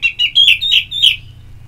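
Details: Orange-headed thrush therapy audio meant to encourage a bird to sing: a quick run of about five clear, slightly buzzy whistled notes, each falling then rising in pitch.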